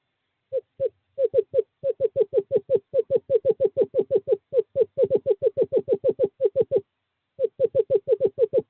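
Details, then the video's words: During courting season on 2/11/2023 a male screech owl calls a female to an owl box with a long, rapid, evenly spaced chain of about forty hollow notes, broken once by a short pause. "Male screech owl calls female to owl box 5"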